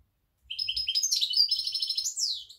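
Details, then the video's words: European goldfinch, jilguero parva, in October: a quick, tumbling stream of liquid twitters and buzzy trills, ending in a sweeping downward note, with faint low thumps underneath. "Jilguero parva"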